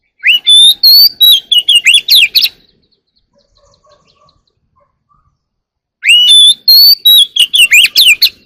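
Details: Oriental magpie-robin singing early in the morning, two rich phrases of rapid rising whistles and sharp chattering notes separated by about three seconds of near silence.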